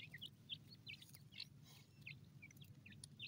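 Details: Short, sharp chirps from feeding francolin chicks in a forest, scattered irregularly and about three each second, high-pitched with slight downward slurs, against a soft low rumble.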